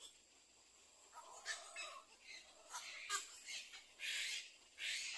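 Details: At a nest with four chicks, a little egret: rough, hissing calls in an uneven series, several drawn out for about half a second.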